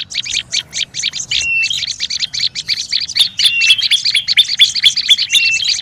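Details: Olive-backed tailorbird giving a noisy, agitated call used as a lure: fast, dense chattering chips, high and bright, broken by brief flat whistled notes, running steadily for about six seconds.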